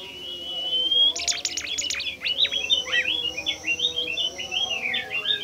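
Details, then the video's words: Bimoli bird, a shy and rare species, singing in a lure recording: one clear whistled note, then a dense, lively run of varied chirps, trills and slurred notes continuing without pause. "burung bimoli DIJAMIN NGAMUK dan GACOR dengan pancingan bimoli ini"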